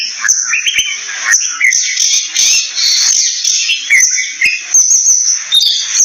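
An Oriental magpie-robin sings varied, quick whistled phrases and chirps over a steady high insect drone that runs through the whole recording.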